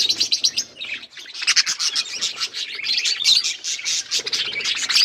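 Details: Budgies feeding on green food chatter almost without pause, a dense stream of quick, scratchy chirps and warbled notes, with loud peaks every fraction of a second and a few softer, lower rustles near the end.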